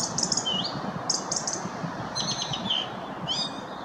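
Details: Song thrush (Turdus philomelos) song: bright chirps and short rising whistles grouped into repeated phrases, each set given about once a second, with a gentle noisy background.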